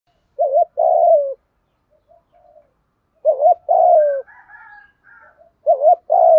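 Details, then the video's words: Spotted doves, male and female, giving a thổ pha style calling coo with gù thúc notes, used to stir up and train other doves: low two-part coos, a quick wavering note then a long falling one, repeated about every three seconds, with faint higher whistles between. "cu gáy giọng thổ pha gù thúc Kèm gáy gọi nhiều"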